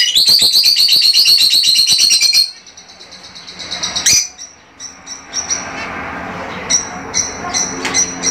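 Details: Caged Fischer's lovebirds calling to encourage mating: a fast run of shrill, high chirps, about four a second, then quieter scattered high notes over soft background rustle.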